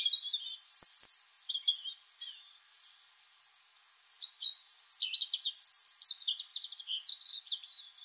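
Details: European robin singing in a garden tree in November, recorded on a camera's built-in microphone; high wistful warbling in varied phrases, quiet gap midway, then a faster run of rapid trilled notes.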